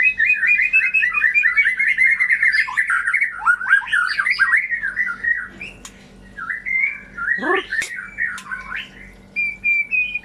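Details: White-rumped shama song used to stimulate shamas that stopped singing, went mute or lost form: a rapid, varied run of warbled, chattering notes around mid pitch, a sharp downward swoop near the middle, then clear whistled phrases.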